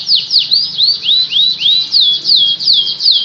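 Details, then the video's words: A canary sings a series of clear, swooping whistles, some falling, some rising then falling, spaced a few per second, sweet and high, with a faint low hum beneath. "KICAU KENARI FULL GACOR"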